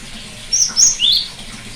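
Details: Short cinereous tit phrase, played as therapy for a bird that no longer sings: two high level whistles then a rising slurred note, with constant faint hiss behind.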